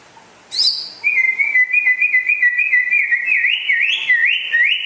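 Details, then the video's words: White-rumped shama of West Aceh origin, Indonesia, noted as rare; after a sharp high opening note, a long steady whistle with a fine trill develops into wavering, rising-and-falling loops. "Kicau Burung Murai Asal Aceh Barat Langka Gacor Jos"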